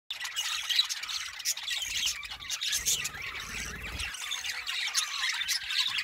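Budgerigars chatter in a busy, high-pitched stream of warbles, chirps and squawks.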